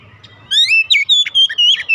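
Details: Loud whistled notes from an Oriental magpie-robin, a caged bird's song meant to prompt singing, with clear sliding whistles repeated in quick succession after a brief low rumble.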